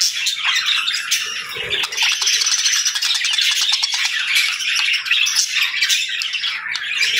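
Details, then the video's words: Several pet budgerigars at their morning feeding, chattering nonstop in a bright, scratchy warble with quick chirps laid over a steady hum of many voices. "Good Morning Birds Chirping | Budgie Feeding Time"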